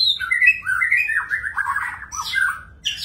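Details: Continuous warbling from a magpie-robin, a tumbling run of whistled notes sliding downward, ending in higher squeaky notes.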